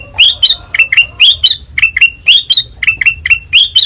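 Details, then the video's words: Bright, clipped chirps from a white-eyed kutilang emas singing in open ngeplong style, notes alternating between flat and upward-sliding, roughly three to four per second. "Suara Asli Ngeplong Kutilang Emas Mata Putih Gacor Dor"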